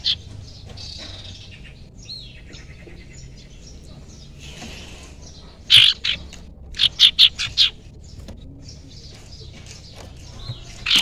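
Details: Young common iora from the forest, used as a lure, delivers a brief cluster of sharp, high chips against quiet natural background noise.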